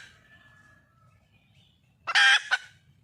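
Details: Female red junglefowl calling to attract a mate, giving one loud, rasping squawk followed by a brief clipped note after a quiet stretch with faint background tones.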